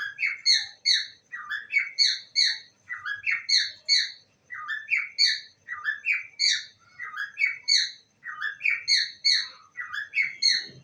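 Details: Pet parrot repeating "I love you" continuously, about a dozen quick, chirpy three-syllable phrases with only short gaps between them.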